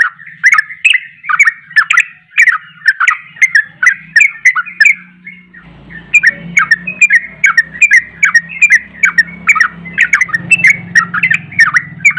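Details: Agitated ropelan singing of a sooty-headed bulbul, used to rile up rival bulbuls: a long run of quick, liquid chattering notes in steady bursts, with a low humming background that grows louder partway through.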